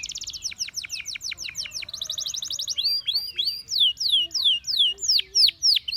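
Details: A Gloster canary sings a steady series of falling whistled notes, then a fast high chatter, ending in looser, louder curved whistles at a slower pace.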